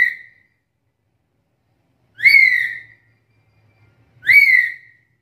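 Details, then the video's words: Captive black-capped lory giving bright whistled calls, each a quick upward sweep falling into a drawn-out tail, two full calls about two seconds apart, used as a tutor sound for other birds. "Suara panggilan burung nuri kepala hitam ini jarang dimiliki nuri lain"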